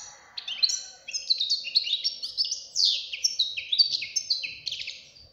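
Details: Song of a young European goldfinch, a chick that sings like an adult: a continuous tumbling stream of bright, tinkling twitters and buzzy chirps, loud and rapid throughout, over a faint low hum.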